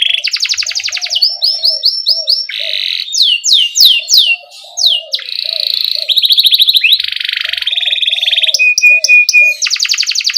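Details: Canary in a lure recording meant to prompt young canaries to sing quickly, in a constantly singing rolling style with chirps: varied high trills, rolls and sweeping slurred notes in quick succession, with faint lower warbling underneath.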